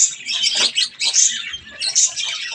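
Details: Budgerigars eating strawberries make short, rapid, raspy chirps and squawks in quick bursts, separated by brief gaps.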